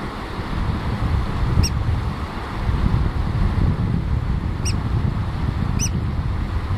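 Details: Eurasian oystercatcher with its chick: three brief, high, piping calls, one early and two close together near the end, under a steady roar of wind.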